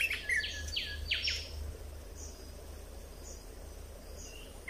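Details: Red-whiskered bulbul kept in a cage, with song played to train young birds and excite others. Several loud, sweeping whistled notes come in the first second and a half, then only a low hum and background noise.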